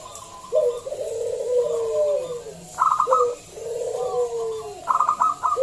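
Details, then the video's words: Loud local zebra dove, played to coax other doves to sing: drawn-out rolling coos sliding downward, each followed by a quick staccato run of higher notes, repeated twice. "Pancingan Perkutut lokal SUARA BESAR"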